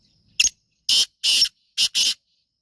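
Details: Black francolin (Kala Teetar), a Sheedi Chotla strain: one short harsh note, then four loud rasping broadband notes in two close pairs, with quiet gaps between them.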